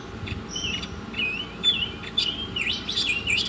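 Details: Oriental magpie-robin singing vigorously in a songbird training recording: sliding whistled notes and scratchy buzzy phrases, becoming denser toward the end, over a steady low background hum.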